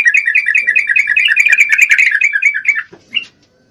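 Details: Breeding-condition female Yellow-vented Bulbul calling a male, giving one long, rapid run of chattering notes that lasts nearly three seconds, then a brief squeaky note before it falls quiet.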